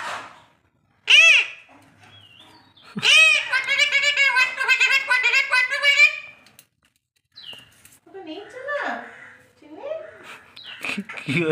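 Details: Pet Alexandrine parakeet trained to speak, producing a sharp rising call, then a long run of rasping talk-like phrases, followed by softer broken utterances with pauses.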